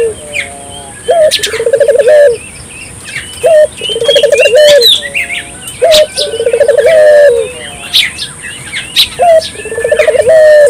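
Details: Spotted dove, burung puter, calling steadily as a lure to get local doves calling: four phrases of a sharp opening note, fast quavering run and drawn-out closing coo, about every two and a half seconds, with twitters and chirps around.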